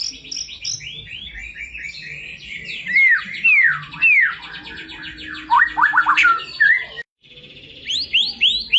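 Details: Varied song of a white-rumped shama, mixing high chirps, loud swooping whistles that dip and rise, and rapid stuttered notes, briefly cut off near the end before resuming with rising whistled phrases.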